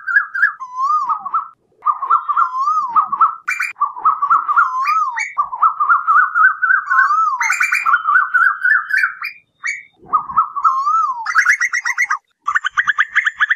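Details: Night lure audio of the Asian koel: a long, dense stream of wavy whistled notes, mostly in rising runs that climb and restart, ending in a faster burst of higher, buzzier repeated notes.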